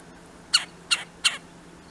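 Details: Red-bellied woodpeckers, two birds, giving three brief scratchy, buzzy notes about a third of a second apart against a quiet background with a faint low hum.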